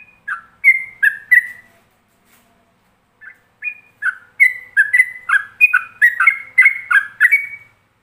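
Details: Yellow-vented bulbul in ropelan style, a master song meant for other bulbuls to imitate: a brief opening phrase, then fast, rich whistled notes that alternate and slur between two pitches, nearly three per second, with clean quiet between bursts.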